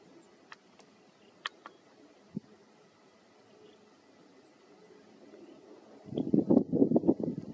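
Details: Along Darst Rd. in northwest Fort Bend County, Texas, a sandhill crane gives a loud, low, rolling rattle of rapid throaty pulses after several quiet seconds with a few faint clicks.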